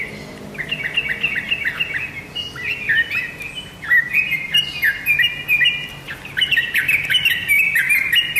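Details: Energetic song of a tame sooty-headed bulbul: chattering runs of bright, downward-flicking chirps that rise and fall in loudness, sometimes overlapping in quick sequences.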